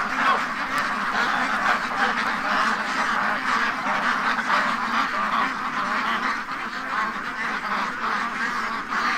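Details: A flock of free-range domestic ducks freaking out in their pen near Toronto, Canada, on a morning when something spooked them: a loud, unbroken wall of harsh overlapping quacks from many birds, holding steady throughout.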